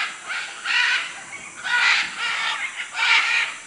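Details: Three loud, grating squawk bursts from macaws in Manu, Peru, each about half a second long and rough-edged, separated by quieter pauses.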